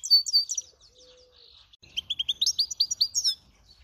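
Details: Brambling × canary hybrids singing: a bright burst of high twittering notes, a pause with a faint low hum, then a fast run of rising chirps and sharp trills ending in a thin high note.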